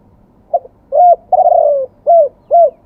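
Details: Zebra dove from Thailand, a wild-type singer, giving a clean sequence of soft cooing notes: a short lead note, a rising coo, a longer rolling trill, then two matching arched coos, with a quiet background.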